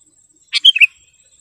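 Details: Single phrase from a prolific sooty-headed bulbul with a sharp, clear voice, used for training caged birds and luring wild ones: a buzzy onset followed by two bright whistled notes, over a faint high hiss.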